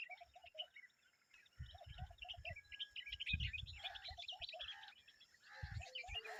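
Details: Adult common babbler with its babies: busy high chattering and squeaky notes mixed with short low whistles, over low thumping handling noise.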